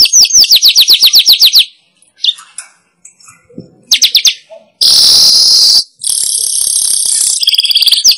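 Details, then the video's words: Weaver calling as a lure for wild birds: a quick series of high down-slurred chirps, a quiet gap with faint ticks, a short chirp burst, then loud hissing sizzles and buzzy chatter. "Suara Pikat Burung Manyar"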